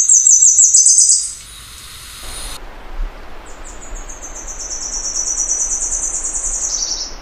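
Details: A Tepui Redstart (Myioborus castaneocapilla) sings a high, fast twittering trill, then a long run of thin, rapid notes that rise slightly before dropping at the end.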